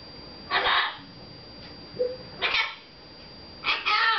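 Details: Red-fronted macaw kept indoors as a pet, male, talking with its owners; three raspy, speech-like bursts a second or more apart, the last ending in wavering tonal notes.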